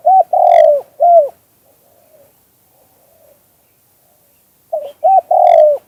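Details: Spotted dove, two-kuk-hoi song style, natural sound. A low cooing phrase ends with a long loud coo and a falling coo, then faint soft murmurs. The phrase starts again near the end.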